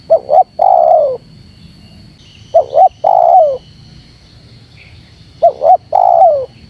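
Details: Spotted dove calling to rile wild doves: three phrases, each a quick double note and then a lengthy falling coo, separated by pauses of about two seconds. A faint high tone sits in the background.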